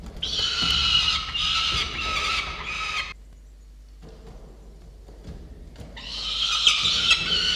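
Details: Peregrine falcon chicks at a nest on a falcon cam in November: harsh, drawn-out wailing screams in two long bursts around three seconds each, split by a quiet pause, with faint low rumble beneath.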